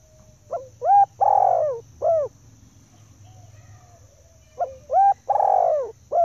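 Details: Spotted dove hen giving her call used to attract males, two phrases of soft rising coos leading into a long, hoarse, down-sliding coo and a short closing note, with a steady high electronic whine behind.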